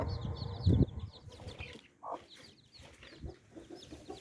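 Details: Hen mother with nine baby chicks: a loud low cluck near the start, then a quieter nasal note and scattered soft clucks, with faint chick peeps in the background.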